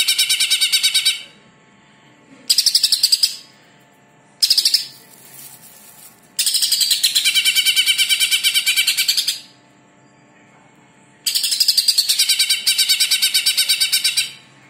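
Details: Greater green leafbird, known locally as cucak ijo, in a training recording: repeated long bursts of rapid, pulsing, harsh high notes, some lasting several seconds, separated by short quiet gaps.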